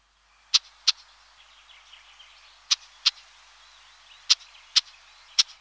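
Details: A Red-backed shrike (Lanius collurio) calls with harsh, dry 'chack' notes, mostly in close pairs every second or two, over faint soft twittering in the background.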